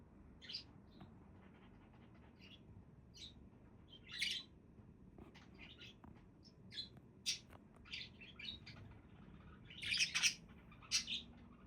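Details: Budgerigars giving scattered sharp chirps and squawky notes with pauses between, building to a denser, louder burst of chatter near the end.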